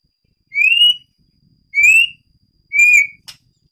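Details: White-rumped shama of the Medan variety in its breeding aviary, giving clear rising whistles, three in a row about one second apart, ending with a short sharp note.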